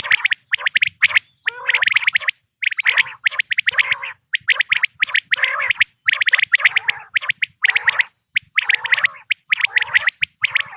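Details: Quail sound intended for hunters, 2026 season. A long, busy sequence of rapid chirp bursts, almost continuous, with occasional throaty lower notes mixed in.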